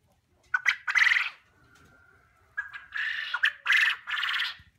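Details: Young quail filmed at a poultry unit, vocalizing: harsh, noisy squawking bursts in two clusters separated by a quiet gap, with a faint steady tone running between them.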